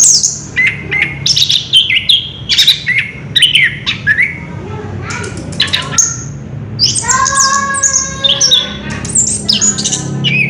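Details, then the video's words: Orange-headed thrush singing in the continuous rolling ngerol style: a dense run of varied chirps, squeaks and whistled phrases from mid to very high pitch, ending in a burst of rich harmonic notes, over a steady low hum. "Burung Anis kembang ngerol edan luar biasa"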